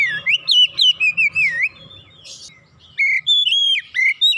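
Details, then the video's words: Oriental magpie-robin (kacer) singing energetically in gacor fashion after being lured once: wavering whistled phrases rising and dipping, a soft hiss in a brief lull, then crisp repeated whistles resuming, with a faint low hum. "Kacer macet bunyi sekali pancing langsung semangat bunyi gacor"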